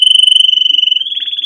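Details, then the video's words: Canary song for teaching young birds: a pure, level whistled tone held about a second, then shifting into a quick fluttering trill. "Canary Singing - Most Spectacular HD Video Training For Chicks"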